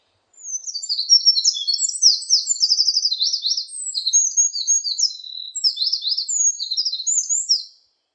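A Eurasian wren pours out one long, loud, high song of about seven seconds, with rapid sharp trills and quick chattering notes, over a quiet background.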